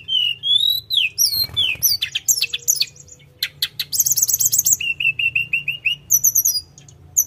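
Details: Full, fast song of a Sunda robin: rising whistles, a dry rattle, a high buzzy trill, then a string of evenly repeated flat whistled notes and short high chirps, over a low hum.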